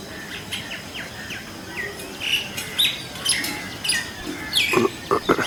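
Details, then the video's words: Indian common mynas calling in different voices, many birds together: scattered whistles and squeaks rising into a denser closing flurry of sharp, downward-sweeping notes, over soft background noise. "20 Indian Common Myna Birds Calling Sound"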